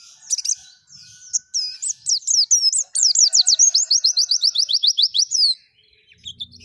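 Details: White-eye singing energetically in forest style: soft scattered notes build into a fast, steady series of about fifteen high descending chirps that stops abruptly.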